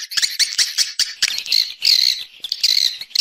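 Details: Swiftlet external sound from a 2020 set: rapid, high, buzzy chirps in quick bursts, some with a wavering trill toward the end and brief gaps between phrases.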